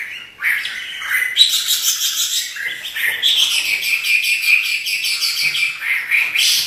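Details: Caged Chinese hwamei singing energetically; rich run of whistled notes and warbles, some rising slurs, continuous and fluid with rapid ornaments throughout.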